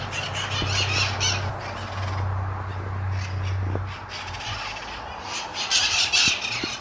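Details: Mitred parrots, a social flock congregating at their habitual daily spot in Sunnyvale on 11/04/2020; harsh, grating squawks in overlapping bursts, coming thick and fast, over a steady low rumble.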